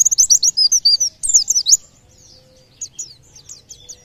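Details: Singing white-eye, a sound held to coax birds nearby into song: dense, lively high warbled chirps for nearly two seconds, then sparser thin descending tweets after a short gap.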